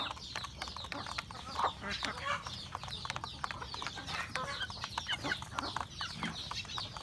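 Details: A rural home flock of chickens eating breakfast: irregular clucks and pecking taps rising and falling in loudness, with thin high chirps running throughout.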